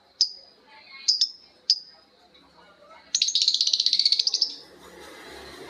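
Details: Long lovebird ngekek with birds answering: three isolated shrill squeaks, then a rapid rattling burst of about fifteen harsh high notes lasting over a second.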